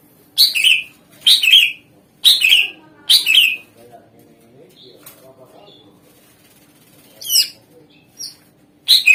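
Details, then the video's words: Greater green leafbird lure song to make other songbirds reply: four harsh buzzy notes roughly one per second, a quiet stretch with soft low murmuring, then scattered thin, sharp chirps. "Suara Pancingan Cucak Ijo Gacor"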